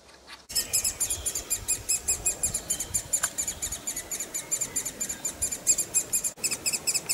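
Woodpecker chicks beg nonstop with a high, thin chorus of rapid chirps, about four or five a second, with no other sounds.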